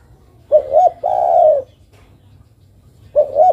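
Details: Female derkuku (island collared dove) calling to the male: two quick low rising hoots flow into one long steady coo, and a new double hoot begins near the end, all in a quiet setting.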